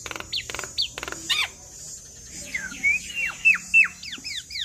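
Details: Javan myna singing vigorously with borrowed phrases, aimed at making other mynas reply: quick notes open the phrase, then a run of descending whistled slurs repeats several times a second.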